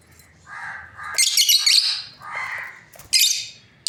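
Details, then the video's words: Lovebirds of a breeding pair chattering: soft buzzy chirps break into a loud burst of harsh rasping squawks, then more chirps and a final shrill screech. "Lovebirds parrot chirping sounds | breeding pair"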